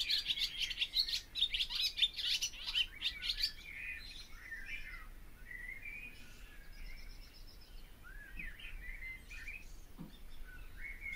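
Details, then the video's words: Barn swallow song opening with a loud stretch of fast, crowded twitters, then fading into softer scattered warbling notes and slurred glides for the rest of the phrase. "O canto da ANDORINHA-DAS-CHAMINÉS/BARN SWALLOW SONG (Hirundo rustica)"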